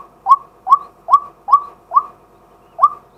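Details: Male White-breasted waterhen calling by day as a lure, recorded live on a set camera: six short, upward-hooked notes repeated roughly twice a second, clean and steady.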